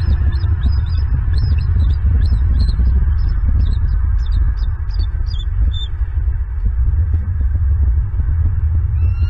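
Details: Bald eagle pair at night on a branch near their nest in Southwest Florida, recorded by a live nest camera as the male joins the female. A rapid series of thin, high chirps runs for several seconds over a constant low electrical hum.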